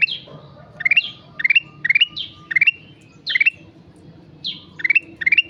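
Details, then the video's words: Sooty-headed bulbul in vigorous song (gacor), stringing rapid upward note clusters and high downslurred calls together, a quieter stretch near the middle, with faint low background sound. "Burung kutilang emas gacor"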